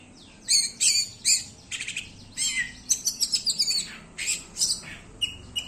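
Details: Oriental magpie-robin in 'konslet' style song: rapid runs of high, scratchy chirps and harsh buzzy notes in dense bursts, some chattering trills, with brief gaps between phrases.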